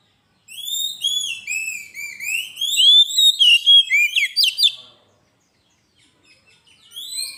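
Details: A kacer (Oriental magpie-robin) sings loud, continuous gacor song meant to lure and train other birds. Varied whistled phrases flow into a burst of fast, sharp notes about four per second. After a silent gap, faint notes return and the song restarts.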